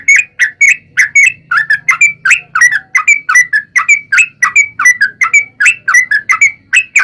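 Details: Sooty-headed bulbul singing, played as a lure to trigger song in other bulbuls; rapid, chattering whistled notes follow one another continuously, with a faint low hum beneath.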